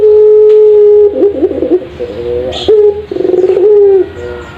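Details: Caged ringneck dove of the puter pelung type, used as a training master. A steady held coo leads into fast wavering warbles, a short clipped note, and a pulsing tremolo that settles into an even tone.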